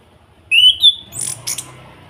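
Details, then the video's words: Orange-headed thrush in Salatiga, kretekan call meant to provoke other birds to sing: a loud rising whistle that levels into a second, higher note, followed by two short, harsh, buzzy bursts. "Pancingan Anis Kembang Agar cepat bunyi, suara kretekan Ampuh dan Plong, Pancing emosi"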